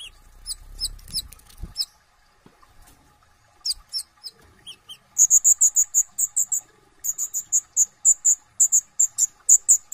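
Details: Brown-throated sunbird, known locally as kolibri ninja or konin, singing energetically with full isian tembakan. Soft low rumbles and a few scattered chips come first, then rapid runs of sharp, very high chipping notes.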